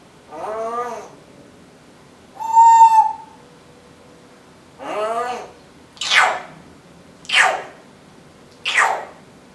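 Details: Indoor pet female Timneh African grey parrot talking: harmonic speech-like syllables and a level whistled note, followed by three noisy, hissing bursts spaced about 1.3 seconds apart.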